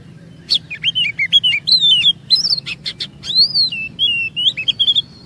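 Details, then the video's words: Kacer, Oriental magpie-robin, in a lure recording meant to set other birds 'ngerol' at length: rapid alternating whistled slurs and clicky chips, one long arched whistle, ending on a held high tone. "EFEKTIF MEMANCING KACER NGEROL DAN BONGKAR ISIAN"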